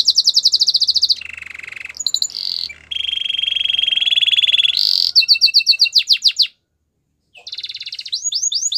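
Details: Gloster canary song made of chained tours: a high rapid rattle, lower buzzing trills, a long steady rolling trill, then fast falling whistled notes, a brief pause and rising sweeps.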